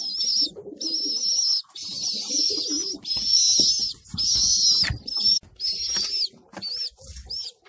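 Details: In a homing pigeon loft where newborn young are fed: long, loud, high, wavering squeals come in bursts of about a second, with low coos and rustling underneath.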